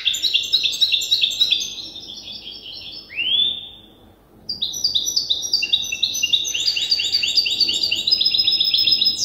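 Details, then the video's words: Practice song of a young goldfinch hybrid still in the learning stage, taught by an older hybrid: fast, high twittering trills, a single rising-falling sweep, a short silence, then long runs of rapid chattering notes. "تغريد هجين الحسون لازال في مرحلة الحفظ"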